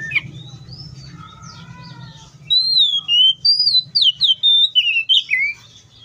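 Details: In the wild, an Oriental magpie-robin sings after a quiet start with faint distant bird notes; loud pure whistles glide and dip in quick succession, about eight notes over three seconds.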